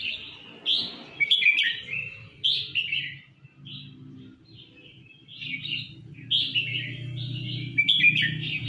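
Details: Full-throated song of a red-whiskered bulbul: quick chirping and warbled notes repeated in clusters, with a low background rumble throughout.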